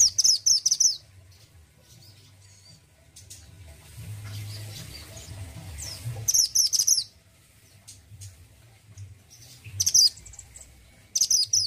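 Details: Mountain-type orange-headed thrush from Indonesia, singing actively with a distinctive voice: loud bursts of rapid, sharp, high chattering notes at the start, around six seconds, and near the end, with quiet low background hum between.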